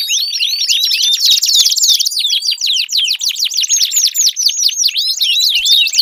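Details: Canary song played to get a quiet canary singing, a rolling buzzy trill followed by a long run of fast, evenly spaced V-shaped chirps.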